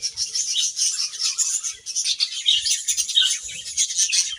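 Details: Grass-eating budgies keep up an unbroken, scratchy high chatter mixed with squeaky whistled chirps, several birds overlapping.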